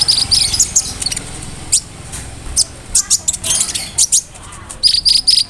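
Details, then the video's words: Konin bird delivering its mimicking song with cricket, brem, kamade and rambatan fills; scattered thin, high chirps and short sharp notes over a faint low rumble, ending in a quick repeated series. "SUARA KONIN GACOR ISIAN JANGKRIK, BREM, KAMADE, RAMBATAN FULL MEWAH"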